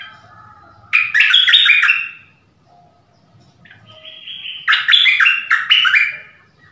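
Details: Decoy dok taeng bird calling a mate in the forest, January 2021; two bright, jerky runs of chirped notes separated by a quiet gap with a soft, low whistle between them.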